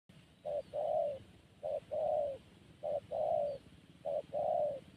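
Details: Zebra dove cooing in a steady pattern: a short low note followed by a longer rolling coo, repeated four times about every 1.2 seconds over a faint background hiss.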